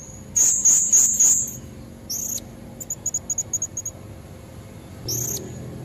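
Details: A female blue-crowned hanging parrot's lure call for red-throated males: four quick shrill squeaks, a single sharp note, a string of tiny evenly spaced chips, then one last squeal.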